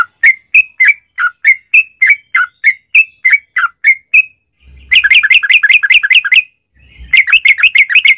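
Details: Yellow-vented bulbul song of the 'ropel panjang' type, meant as a lure to set other bulbuls singing: a steady series of slurred chirps about two per second, then two dense, rapid bubbly bursts.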